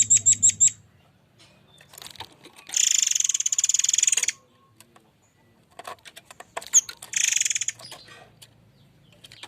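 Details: Murai air forktail in rough 'tembakan' song used as a lure: opens with a quick burst of high piercing whistles, then long harsh buzzing rattles lasting over a second, a brief sharp note, and another buzzy rattle.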